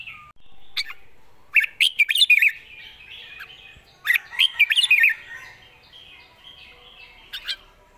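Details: Thai red-whiskered bulbul, a promising young singer with a light voice and good phrasing, delivers two lively warbled phrases of rapid whistled notes about two and a half seconds apart, then a lone short note after a pause.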